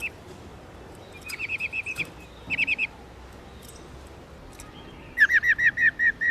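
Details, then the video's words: Female white-cheeked laughingthrush (Garrulax chinensis lugens), a 'mái ro' bird whose rolling song is used to excite males. Three bursts of rapid, rounded, repeated whistled notes, about five to seven per burst, with short pauses between. "Khướu Bạc Má Mái Ro , Tiếng Chim Khướu Bạc Má Mái"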